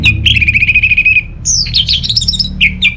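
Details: Orange-headed thrush giving a rapid warbled trill, then a jumble of very high bright whistles and two short swooping notes, with faint low hum behind.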